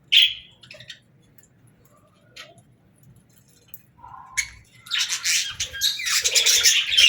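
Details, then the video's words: Budgerigars singing: a few scattered chirps over the first seconds, then a dense, scratchy warbling chatter of high twittering notes builds and continues to the end. "Budgies Singing"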